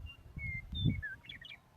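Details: A Montana meadowlark sings out in a field on a Sunday morning near a river, a quick run of clear, flute-like whistles sliding downward then a short burbling jumble, over low rumbling wind.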